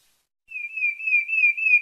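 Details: Sabiá-parda thrush from Bahia, Brazil, in its melodious Santa Fé style song: one long, steady whistled note held for over a second, slightly wavering, with a clean quiet background.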